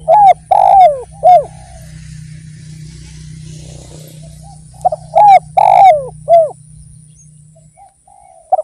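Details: Indonesian spotted dove, known locally as derkuku, cooing in full song. Two loud phrases of three or four hoarse, arched coos are separated by a long quiet gap, with a steady low hum underneath.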